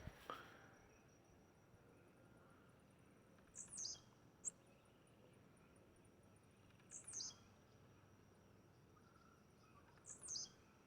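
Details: Wild blue-black grassquit singing in nature, not doing its jumping display: three short, high, buzzy sharp notes, each repeated about every three seconds, against a quiet steady background hiss.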